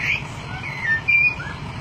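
A golden myna gives a quick run of clear, high whistled notes, some slurred and rising, over a low steady rumble.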